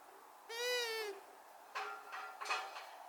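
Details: Hooting of a female long-eared owl, a single nasal, tonal note held just over half a second and gently sliding down, followed by three rough, broadband bursts in quick succession.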